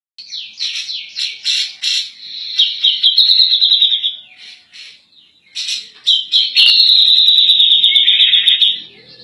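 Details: Grey-cheeked bulbul (cak jenggot) singing persistently in a rapid 'nembak' style, for use as a tutor recording for other songbirds: high chattering notes break into a long, steady, sharp trill, pause, then resume with another extended buzzy trill.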